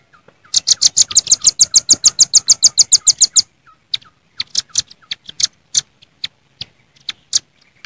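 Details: Velvet-fronted nuthatch calling rivals in the wild: a fast, regular string of about twenty piercing high chits lasting three seconds, then spaced single sharp notes at uneven intervals.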